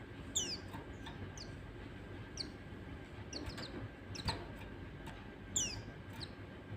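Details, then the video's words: White-eye song used as a lure to train other white-eyes: thin, high, downward-slurred chirps given singly at irregular intervals over steady background hiss. "Pancingan PLECI Bahan Pasti Bunyi Terusss"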